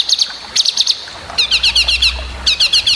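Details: Long-tailed shrike master song used to train other birds: short bursts of quick, bright twittering notes, each burst of four to six notes separated by brief gaps.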